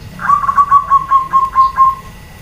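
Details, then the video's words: Female zebra dove calling to draw answers from males; one string of about ten soft, rounded coo pulses that drift slightly downward in pitch. "SUARA PERKUTUT BETINA, BIKIN PEJANTAN DAN OMBYOKAN SALING SAUT"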